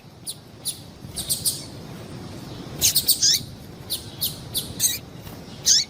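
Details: High chirps from a female double-collared seedeater, played to fire up males; scattered thin notes first, then a quick cluster of bright calls with downward-slurred tails, followed by more spaced chirps.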